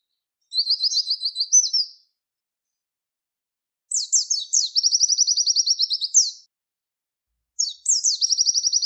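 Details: Three bursts of Javan white-eye "tembakan wit wit" tutor song for training contest birds: a warbled high phrase, then downslurred notes leading into dense rapid trills, separated by silences of about two seconds.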